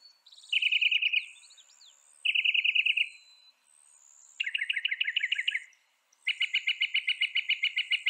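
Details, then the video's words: Northern mockingbird producing buzzy, rapidly pulsed trills in separate blocks of about a second each, with pitch and texture changing from block to block. "Veja o canto do pássaro, ave zombeteira"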